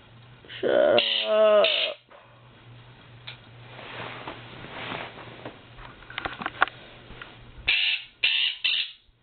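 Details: Pet Quaker parrot waking its owner in the morning, around 8am in every season; loud, harsh, harmonic squawks in a burst at the start and again near the end, with a quieter middle of faint clicks over a steady low hum.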